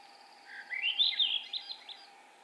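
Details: A Swainson's Thrush in Maine sings its typical always-rising, flute-like song: one phrase of quick notes spiralling upward in pitch over about a second, over a faint steady hum.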